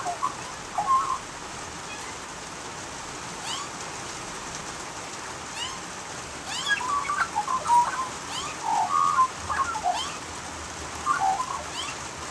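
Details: Australian magpie during rain, a few short warbled fluting notes early, quiet stretch of rain hiss, then a livelier run of gurgling mellow phrases toward the end.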